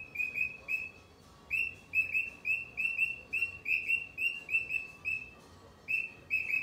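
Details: Cockatiel giving short, bright, slightly rising chirped calls repeated in quick irregular runs, with brief pauses between bursts; no other sounds stand out.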